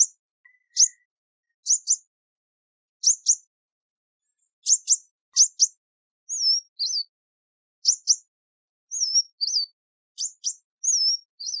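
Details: Kingfisher giving shrill, high, clipped double chirps and brief warbling whistles in short repeated bursts, a clean recording with no background noise.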